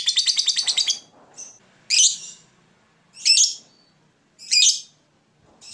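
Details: Fighter lovebird kept in Indonesia opens with a short fast chattering trill, then gives three harsh, high squawking calls about 1.3 seconds apart.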